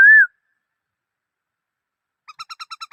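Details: Black-throated laughingthrush: one loud arched whistle, then after a pause a quiet, even series of seven short pulsed notes in about three-quarters of a second.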